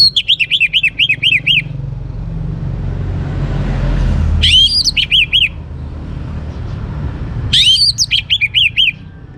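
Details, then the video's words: Orange-headed thrush, young and singing to prompt other birds, repeating rolling trills of rising-falling whistled notes in three bursts several seconds apart, over persistent low traffic noise. "ANIS MERAH Muda Gacor Untuk Pemancing Burung Berani Berkicau Ngeplong juga Teler"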